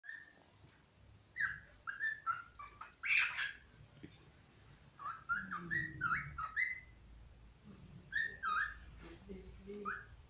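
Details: A pet cockatiel (Nymphicus hollandicus), now deceased, sings a warbling string of whistled notes, some rising and falling, with brief pauses between phrases; this is a song he used to sing.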